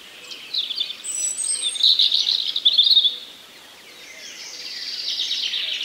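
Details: Common nightingale singing in a forest, a run of rich warbled phrases around the upper-middle pitch with rapid trills and chirps, pausing briefly before a softer, higher rushing phrase returns; no other clear sounds.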